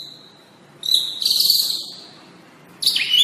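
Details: White-rumped shama master recording for training caged birds. Thin, very high whistles hold steady for about a second, then a pause, followed by a sharp rising-then-falling high whistle.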